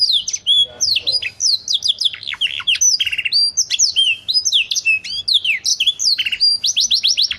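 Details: Canary song with a strong 'cengkok mantap' phrasing, used as a tutor recording for training other birds. It is a nonstop rapid stream of high sweeping whistles, buzzy rattles and sharp chips, with barely any pause.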